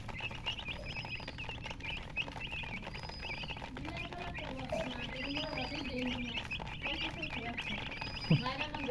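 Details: Chickens chirping with rapid high peeps throughout, some softer lower notes mid-way, faint higher whistled tones recurring, and a sharp knock near the end.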